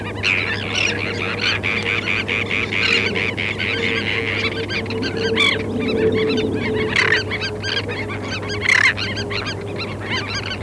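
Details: Tern flock on a sandspit, Murrell's Inlet, South Carolina, 8 April 2017, parabolic recording: a continuous clamour of scratchy, overlapping calls with a few sharper, louder shrieks standing out, and a constant low droning hum.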